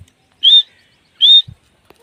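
Grey francolin female gives two clear, high whistled notes, each slightly rising then held, about three-quarters of a second apart, with faint low knocks.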